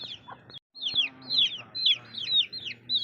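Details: Several baby chicks peeping: shrill, downward-sliding notes come in quick, uneven bursts, about two a second, after a brief silent gap.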